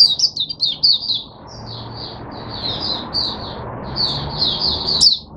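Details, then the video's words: Caged Oriental white-eye giving high, sweet twittering song in a near-continuous stream of short slurred notes, with a sharp click-like chirp near the end. "Mata Puteh Hercules V1 buka sing"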